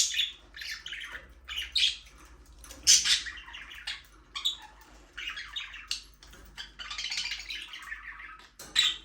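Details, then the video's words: Budgies in a small aviary chirping almost continuously, a lively run of scratchy warbles, buzzy notes and short sharp tweets, several birds overlapping. "Budgies parrot chirping sound for your lonely bird"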